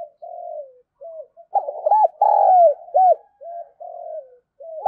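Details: Female spotted dove cooing to excite males: low mellow coos in a rolling phrase, several short hooked notes followed by a longer drawn coo, repeated with brief pauses.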